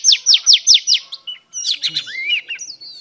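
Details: Female oriental magpie-robin singing to arouse males: five fast, bright downward-sweeping notes in quick succession, then a short gap and a softer twittering phrase ending in a rising whistle.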